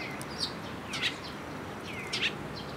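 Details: Sparrows coming to a platform to be fed on 19 May 2022 give a few bright, short chirps with quick upward and downward slurs, bunched in two groups against a steady, soft outdoor hiss.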